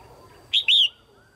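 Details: Red-whiskered bulbul female giving a pairing call meant to stimulate males, one loud two-note phrase: a brief sharp note then a drawn-out wavering whistle.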